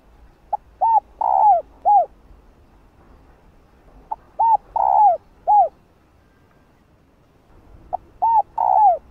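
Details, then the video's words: Female spotted dove cooing to stimulate males to call, kept as a decoy bird: low hooting phrases of four notes, a short first note then three rounded coos with the last drawn out, repeated about every four seconds over faint low rumble. "Tiếng cu gáy Mái ,cu mái kích trống nghe là gáy 100%"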